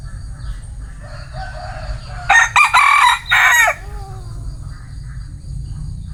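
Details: Bantam rooster giving a loud, harsh crow of three close, forceful bursts lasting about a second and a half, over a constant low background rumble.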